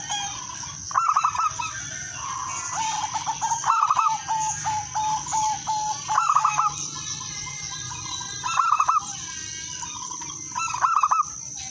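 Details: Zebra dove lure song: five bright, trilled cooing bursts spread over about twelve seconds. Several other doves keep up softer, lower cooing between the phrases, and a steady high-pitched hiss runs throughout.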